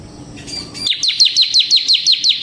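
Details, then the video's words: A ciblek semi, or bar-winged prinia, in ngebren-style song. After a faint soft start, loud, high, falling chirps begin and repeat evenly about every fifth of a second. "suara burung CIBLEK SEMI GACOR Ngebren"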